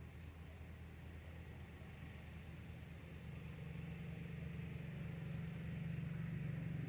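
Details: A steady low engine hum, like a vehicle idling nearby, slowly grows louder, with a faint high hiss above it; no animal voice can be picked out.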